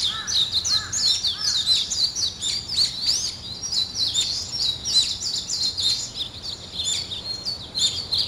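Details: Morning birdsong: dense overlapping high chirps and short twittering phrases from several birds, with quick rising and falling notes packed together without pause.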